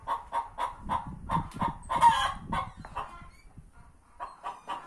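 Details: Two hens competing for the same spot to lay eggs inside a tractor: a steady run of short, repeated clucks, broken around the middle by a louder, harsher squawk, then the clucking carries on.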